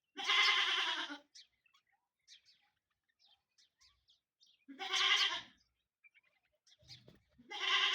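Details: Indian peafowl, peacocks fighting: loud, nasal, drawn-out calls about one second long, three in eight seconds, each rich in stacked harmonics, with faint clicks and rustles between them.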